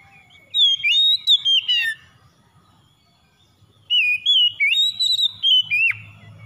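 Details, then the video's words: Oriental magpie-robin (kacer) song used to prompt a stressed bird to sing: two bursts of loud, clear whistled phrases, sliding and warbling, separated by a three-second pause, with a faint low hum beneath. "KACER SETRES MACET BUNYI SEKALI MENDENGAR LANGSUNG GACOR"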